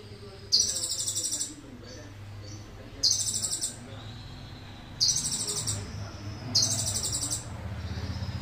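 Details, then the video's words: Indonesian sunbird singing heavily with cililin-style fill: four shrill buzzy trill bursts, each near one second long, spaced every one and a half to two and a half seconds, with faint low rumble beneath. "Konin gacor-isian full cililin"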